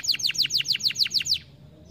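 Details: Canary stimulating song: a short run of about nine loud, sharp downslurred notes repeated rapidly and evenly, then quiet.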